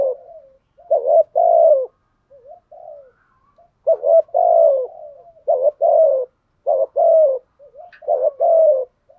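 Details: Spotted dove used as a lure bird, cooing in a steady 'thúc gù' pattern. Repeated pairs of a wavering note and a longer downward-sliding coo are interspersed with quiet low murmurs, with no other sounds.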